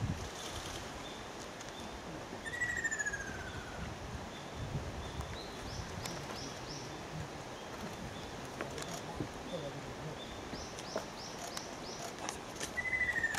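Ruddy kingfisher giving a descending, rolling trill, heard twice about ten seconds apart, with high chirps from other birds over a low rural hum.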